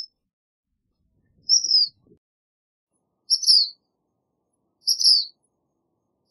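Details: Black phoebe singing: short, high, slurred chirps repeated about every one and a half seconds, each a quick thin note dropping at the end, with silence between phrases.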